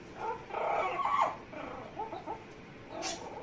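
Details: Pet Amazon parrot making funny noises: a run of throaty, mumbling, chattering sounds, loudest in the first second, then softer burbles, ending with a brief hiss.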